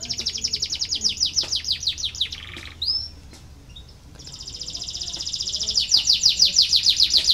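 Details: Canary lure song for lazy singers: a fast series of descending chirps, a brief pause with a single whistle, then a loud, steady, buzzing rolling trill.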